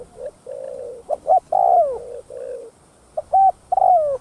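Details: Spotted dove's thúc gù coo, played to attract other doves: low, even hooting notes alternate with louder rounded coos, some drawn out and gliding down. The pattern repeats after a short gap, with a thin high hiss throughout.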